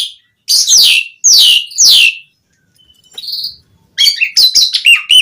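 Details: An Asian pied starling in full song, played to draw replies from other starlings. Three loud, harsh descending squeals, a quiet pause with a soft whistle, then a rapid run of mixed chirps and whistles.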